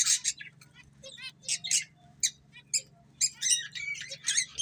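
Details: Breeding pair of budgies giving short sharp chirps and brief scratchy warbled notes in quick separated bursts, fairly quiet, with a low steady hum in the background.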